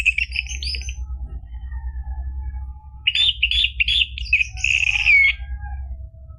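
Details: Orange-headed thrush song played to prompt a caged bird to sing: a short burst of warbled notes near the start, a gap, then a dense run of varied whistles and buzzy trills, over a low steady hum.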